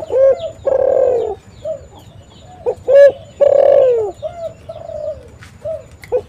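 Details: Spotted dove calls used for luring and trapping birds: low cooing notes, some short and rounded, others drawn out and falling, in an uneven series with brief pauses.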